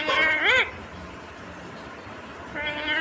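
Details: Ringneck green parrot mimicking speech, the words given as "mummy papa": a loud wavering two-part syllable at the start, a quiet gap of nearly two seconds, then a second steadier tonal utterance.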